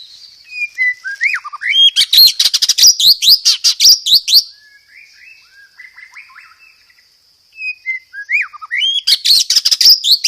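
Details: White-rumped shama song packed with imitated sparrow fighting calls and dominated by a rapid 'roll tembak' style: bright whistled notes sliding up and down, then dense bursts of sharp chattering chips, a quieter warbling passage, and another loud rattling burst.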